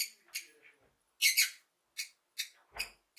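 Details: Lovebird parrot happy chirping: short bright high chirps in separate bursts, a louder double chirp near the middle, then several quick sharp notes spaced about half a second apart.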